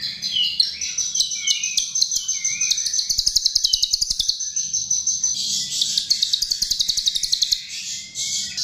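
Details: Chestnut-tailed starling song used as a lure: a thin, sustained high whistle overlaid with rapid chattering trills, then a fast run of evenly repeated clicks near the middle, followed by dense buzzy warbling.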